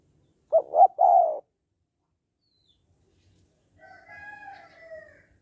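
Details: Spotted dove in the 'hạp bổi' song style, used to provoke males into quick calling: a single low, throaty three-part coo, followed by a softer, drawn-out, higher tone from another bird.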